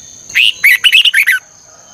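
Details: Morning song of a red-whiskered bulbul in the 'ché căng lửa' style, a double-twisted voice recorded as a lure for training birds. One quick phrase of about seven bright whistled notes rising and falling over a second, with a constant thin high tone behind.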